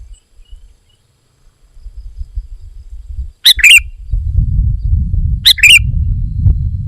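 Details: Sooty-headed bulbul described as a vigorous singer: after near silence, two brief bright phrases come several seconds apart, each a sharp note followed by a quick warbling flourish, over a steady low rumble.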